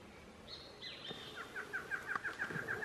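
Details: Male barred antshrike singing in dry forest at Mana Dulce Reserve near Bogota, Colombia, on 23 January 2017: a quickening series of short, nasal notes after a faint high whistle, against quiet background noise.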